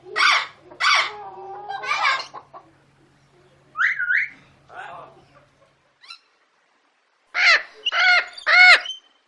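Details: A male Indian ringneck (rose-ringed) parakeet gives harsh, raspy squawks in short bursts, with a brief rising whistled note midway and a closing run of three loud screeches.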